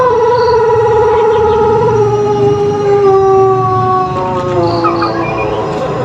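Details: Pelung chicken, a native Indonesian ornamental breed from Cianjur, West Java, giving a long, melodious, rhythmic crow: a sustained harmonic tone gently wavering, then sliding slowly downward over about four seconds and trailing off.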